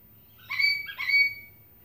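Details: Sulphur-crested cockatoo (Cacatua galerita), a pet bird, screaming: two harsh, raucous screeches in quick succession, each about half a second long, over a low background hum.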